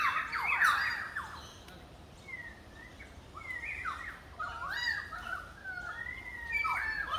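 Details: Currawong calling on the Gold Coast: loud, ringing calls, a harsh burst first, then a run of clear whistled notes that rise and fall, with softer bird chatter and faint background noise.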